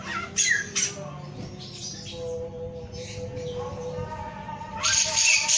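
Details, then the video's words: Male Black-throated laughingthrush singing: harsh, scratchy bursts at the start and end, with steady low whistled notes held in between. "SUARA BURUNG SAMYONG GACOR"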